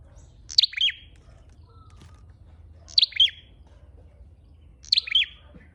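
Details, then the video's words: Red-headed flowerpecker lure calling: three sharp, high-pitched chirp phrases, each a piercing note sliding into quick descending tweets, spaced about two seconds apart with quiet gaps. "Tiếng chim sâu đầu đỏ mồi"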